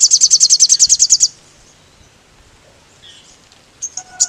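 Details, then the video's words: Crimson sunbird, known locally as sogon, giving a provoking lure song: a fast, high, buzzy trill of about twelve pulses over a second, then a quiet pause and a few faint high chips. "PANCINGAN SOGON GACOR NGKLEPER, SUARA BURUNG SOGON BIKIN NGAMUK SOGON TROTOL METALIK EMOSI"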